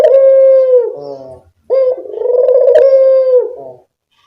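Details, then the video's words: Barbary dove calling in a lure recording meant to attract birds: a steady, ringing coo followed by a longer tremulous one, with a single sharp click midway through the second note. "Pancingan burung puter"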